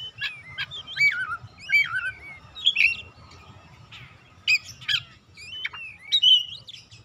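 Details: Calling song of an Oriental magpie-robin, played to stimulate quiet birds to sing: short bursts of sweet whistles and sharp upslurred notes repeated about every few seconds, separated by brief pauses, over a soft low drone.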